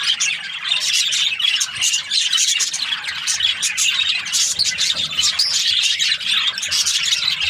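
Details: Budgerigars in the morning, a group chirping together in a dense, unbroken stream of high, scratchy twitters and squeaky chirps that overlap without pause.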